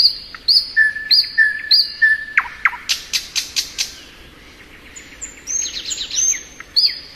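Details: Thrush nightingale in spring alternating high upslurred whistles with low level notes, then a burst of loud rasping strokes and a quick twittering run of high notes.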